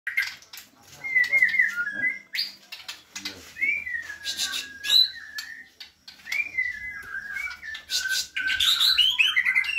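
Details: Caged white-rumped shama singing energetically: varied whistled phrases around mid-high pitch, slurred and looping, with sharp higher notes and bursts, broken by short pauses; faint low hum in background.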